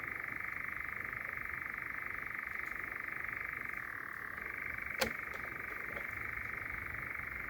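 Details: Night chorus of churring European Nightjars in Sherwood Forest, one bird very close. A steady, unbroken mechanical churr with a small downward pitch shift around four seconds, plus a single sharp click about five seconds in.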